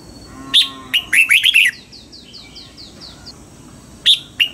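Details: Red-whiskered bulbul, caged, singing during dawn training in the wild-type double-note manner: sharp opening notes, then a fast run of slurred whistles; a soft falling series of chirps follows, and two more loud notes end it.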